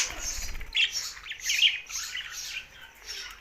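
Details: Budgerigars singing: a soft flutter of wings, then overlapping chirpy warbles and short squawks.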